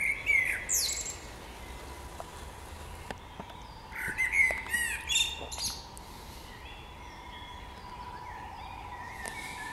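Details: Birds in spring, giving several separated phrases of sharp chirps and trilled whistles, with quiet gaps between bursts and a faint steady hum underneath.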